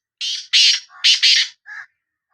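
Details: Sindhi black francolin at close range with a loud, grating call of four harsh rasping notes in two pairs, ending in a softer, lower note.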